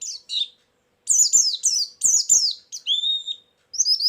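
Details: Chattering lure song of a white-eye: clusters of high, sharply descending twitters with faint clicking underneath, then a pair of long, level, thin whistles before the twittering resumes.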